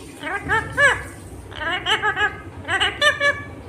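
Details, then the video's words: Indian ringneck parakeet, a green pet bird talking; three bursts of speech-like syllables with strong rising and falling harmonics, chattered in quick runs of two to five sounds. "Natural Sound of Talking Ringneck green parrot"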